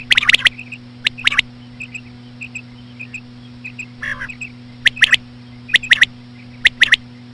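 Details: Slow female quail sounds of the common quail, played to attract birds: rapid clustered sharp notes, then soft repeated pips and a short buzzy call, followed by crisp triple-note phrases near once a second; hum throughout.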